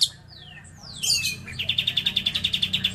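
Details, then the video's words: Singing lovebird with cililin phrases: a few thin falling whistles and a sharp chirp, then a rapid, evenly pulsed high trill of about a dozen beats. "Love bird isian cililin"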